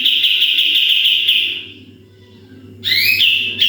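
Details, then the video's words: Sooty-headed bulbul in vigorous 'tembakan' song, recorded to train other birds: a fast buzzy trill that fades out, a near-silent gap, then rising whistled sweeps opening a new trill. "MASTERAN KAPAS TEMBAK GACOR FULL TEMBAKAN"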